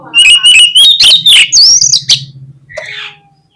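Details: Oriental magpie-robin lure song meant to provoke other magpie-robins into singing: a quick series of loud whistled and buzzy notes climbing in pitch over two seconds, over a steady low hum, then a softer trailing call.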